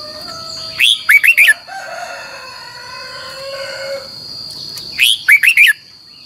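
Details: Red-whiskered bulbul singing a double, long twisting training song used as a lure. Two phrases of four rapid whistled notes about four seconds apart, with a rooster crowing in the background between them and a steady high whine.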